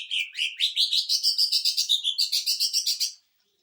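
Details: Rapid, even rattle of greater green leafbird song in sewing-machine style used to provoke other birds, around twenty quick notes in three seconds, rising slightly in pitch.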